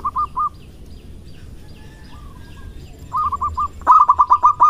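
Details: A loud local male zebra dove courts with staccato purring coos: a short run, a faint glide, a medium series, then a rapid louder burst at the end.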